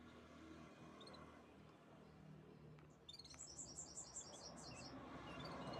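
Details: Canary song: after a few seconds of quiet hiss and faint chirps, a fast, high trill of repeated sharp notes bursts out and runs for nearly two seconds, with steady background noise growing louder.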